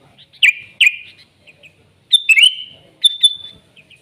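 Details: Sooty-headed bulbul in the wild, gacor song in nggaruda style: two sharp downslurred notes, a pause, then a brisk chattering phrase and two final clipped notes with a short whistle tail.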